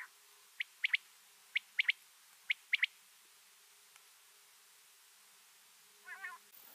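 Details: A quail in winter gives three sharp, high clipped notes, one then a quick pair, three times about a second apart; a brief lower, harmonic sound follows near the end.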